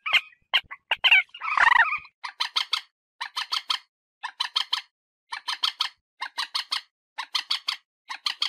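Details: Common moorhen call used to lure birds for hunting: a few sharp notes and one rough squawk, then a steady run of triple-pulsed clucking phrases repeated about twice a second.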